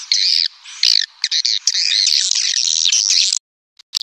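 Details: Lure call of swiftlets: a squawky, chattering chirp chorus that stops abruptly, then a short silence and one brief final chirp.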